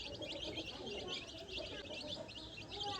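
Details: Several tiny chicks exploring grass and scratching the ground for food on a farm, calling in a busy flurry of sharp, high-pitched peeps, closely overlapping, with faint low rustling beneath.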